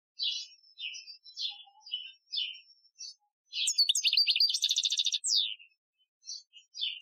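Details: European goldfinch singing an Algerian training song, 2015: a series of short twittering chirps about every half second, then a fast phrase building into a buzzy trill with a falling end note, more chirps after.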